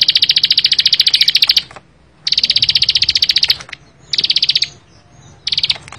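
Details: Repeated bursts of rapid high ticking from a Bar-winged prinia (ciblek sawah): four trills of varying length separated by short silences.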